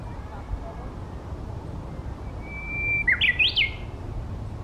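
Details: Singing Japanese bush warbler, one phrase: a level whistle held about half a second, then a rapid zigzag of climbing and dipping notes, with a quiet low background hum.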